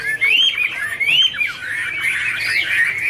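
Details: Chinese hwamei song during a dancing duet: two clear rising whistled phrases followed by a dense, rolling warble of looping notes.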